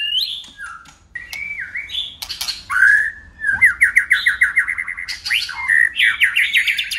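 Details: White-rumped shama in song, a competition bout with tail-flicking and constantly switching voices: varied whistled phrases, rising and falling, then a fast run of repeated trilled notes and bright sweeping whistles.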